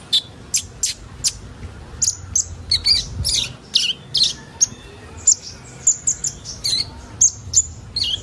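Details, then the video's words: Sunbird, known locally as kolibri ninja, in a recording played to get young birds singing quickly: sharp, very high chirps and short thin whistles, some slurred downward, in a rapid uneven series of about twenty notes. "Burung kolibri ninja bahan ombyokan cepat gacor"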